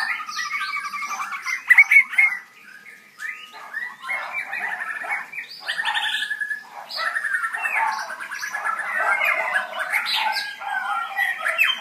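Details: White-rumped shama delivering a busy, varied song of rolling trills, chattering phrases and clear whistled notes, almost without pause, indoors.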